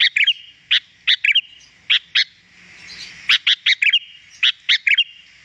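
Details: Sooty-headed bulbul used to lure wild birds, with quick clusters of two or three bright chirps separated by short pauses and a soft rushing background in the middle.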